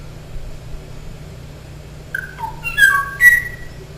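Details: Kauai O'o song from the last known male, singing and waiting for a female's duet response that never came: after two quiet seconds, a short run of clear, flute-like whistled notes stepping up and down, over low hum.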